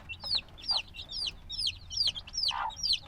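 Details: Day-old-style black chicks, hatched just a few days earlier, give bright, sharp peeps that fall steeply in pitch, about two a second, with a brief lower rustle partway through.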